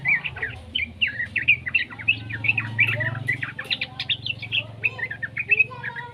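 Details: Juvenile yellow-vented bulbul voice played to prompt other bulbuls to sing: a continuous chattering string of short warbled notes, evenly paced, with a steady low background hum throughout.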